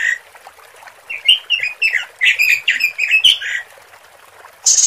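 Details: Lure recording of a female robin calling to males: a faint note, then a steady stream of bright, slurred chirps rising and dropping for about two and a half seconds, closing with a harsh high hiss.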